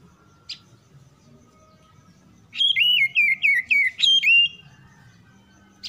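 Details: Oriental magpie-robin, described as a reluctant singer that quickly responds by following another song, giving a loud, rapid run of whistled, warbling notes that fall and rise for about two seconds between quieter pauses, with faint chirps before and after.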